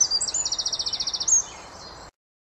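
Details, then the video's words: Eurasian wren (Troglodytes troglodytes) song: a loud, high song of a few sharp notes, then a fast trill of about a dozen ringing notes, ending in a brief high flourish. "Txepetxa (Troglodytes troglodytes), kantua"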